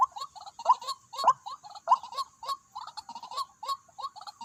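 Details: White-breasted waterhen calling at a decoy site where two birds arrived: rapid, uneven series of short nasal croaks, a few louder accented notes, a steady faint high hiss behind.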